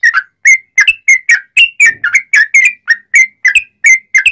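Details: Sooty-headed bulbul giving loud, continuous song in the cucak rowo manner, a master recording to spur other bulbuls: evenly paced clear whistles, rising and falling, roughly three per second.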